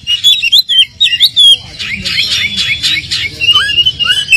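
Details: Oriental magpie-robin lure song intended to make a sluggish bird respond: fast, jumbled whistled phrases, a burst of dense chatter midway, then clearer falling whistles, over low background noise.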